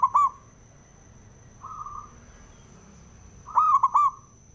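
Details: Male local perkutut, or zebra dove, whose song is used to excite other doves into singing: a clipped coo, a soft drawn-out hum, then a louder rolling phrase of three bubbling notes, with a constant thin high tone behind.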